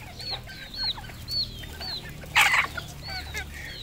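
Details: Red junglefowl on a farm in Cambodia: clear, evenly spaced high peeps, each sliding downward, interrupted by one short harsh squawk.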